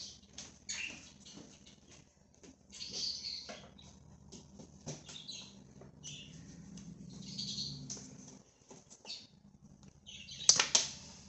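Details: A free-roaming budgerigar flock makes scattered high chirps and soft warbles with clicking taps, ending in a loud sharp call burst near the tenth second, over a low hum.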